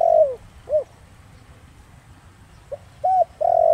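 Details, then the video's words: Spotted dove, known locally as cu đất, giving Thổ Đồng-style coos to draw wild doves. The tail of one phrase, a falling long note and a short coo, then a pause. A new phrase starts with arched and drawn-out notes. "Cu gáy Giọng Thổ Đồng kích bổi cực nhạy nhanh nổi/kích cu rừng phản ứng gáy ngay"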